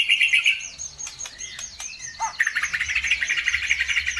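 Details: Birdsong intended to provoke other birds to sing. A dense high twitter leads into sharp downward-sweeping notes, then a long run of rapid, pulsing chatter.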